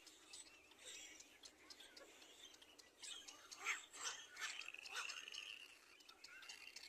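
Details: Feeding of a little black cormorant chick, whose begging comes as strident, hissy squeals, sparse at first, then a dense run of loud cries in the middle before tapering off.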